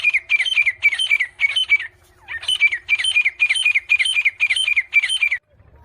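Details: Grey francolin chicks fighting: loud, harsh squawking notes come fast, about four a second, in two bursts split by a short pause, then stop, over a very quiet background.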